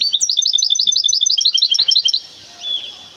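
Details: A goldfinch hybrid from Temara, filmed at a bird market, sings a fast, high, bright trill of repeated chirping notes, about six per second for two seconds, ending with one thin whistled note.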